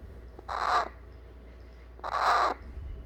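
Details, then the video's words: Hand-fed eclectus parrot chick demanding to be held after a meal: two coarse, nasal squawks about half a second each, spaced a second and a half apart, over quiet indoor background. "안아달라고 보채는 뉴기니아앵무새 애기 소리"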